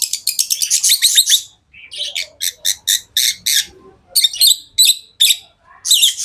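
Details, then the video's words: Pet lovebirds giving a long run of rapid, harsh, high chirps, about five per second at first, then steadier squawky notes roughly every third of a second with brief pauses. "Love birds Sounds | lovebirds chirping sounds"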